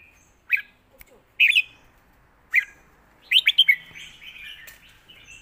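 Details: Red-whiskered bulbul, 'master song' style: separate sharp, cheery chirps spaced out, then a quick rolling series of clear whistled notes trailing into softer twitters.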